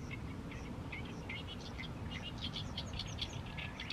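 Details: Oriental reed warbler continuing its song at sunset in a fallow rice field in mid-May; squeaky, grating notes and short rattles follow each other rapidly, with low steady background noise.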